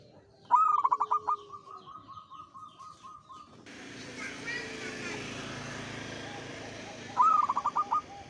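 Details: A zebra dove of the local perkutut kind sings actively. A phrase of rapid pulsed coos trails into a long steady hum. Then comes a stretch of rumbling background noise and voices, and a second cooing burst near the end.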